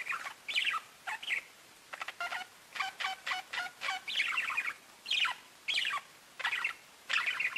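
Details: Pet budgies give bursts of warbled chirps, with a quick rattling run of clicks in the middle, the calls coming in irregular groups.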